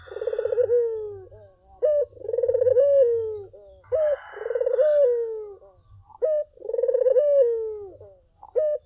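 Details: Collared dove singing steadily, played as a lure to draw other doves to answer: a short sharp note followed by a long rolling, pulsing coo that slowly falls, the phrase repeating about every two and a half seconds, with faint low rumble.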